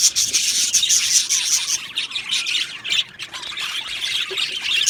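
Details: Budgerigar colony in an aviary: loud, squawky chirps and rapid twittering from many Australian budgies, short harsh notes repeated a couple of times each second amid the chatter.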